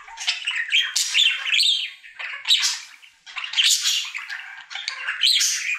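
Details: Pet budgie, male, singing his daily routine: rapid scratchy chatter mixed with sharp squeaks and buzzy trills, rising and falling in loud bursts separated by short quieter gaps.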